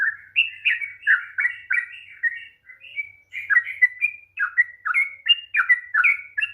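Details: Rapid 'ropel' singing of a sooty-headed bulbul, played to trigger a reluctant bird: dense bursts of bubbly, slurred whistles with a brief pause midway, then more rising and falling notes. Quiet surroundings.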